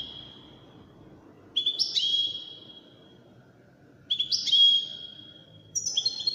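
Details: European goldfinch, one of five wild-caught birds entered in a song competition, gives high, clear whistled phrases with a trill, three bursts roughly two seconds apart, each with a long fading tone, over a faint low background hum.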